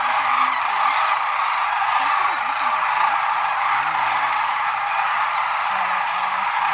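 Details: Huge flock of wintering sandhill cranes (Antigone canadensis) at Whitewater Draw, southern Arizona, November 11, 2017, making a steady roar of rolling, rattling calls blending into a dense wall of sound, with faint low voices underneath.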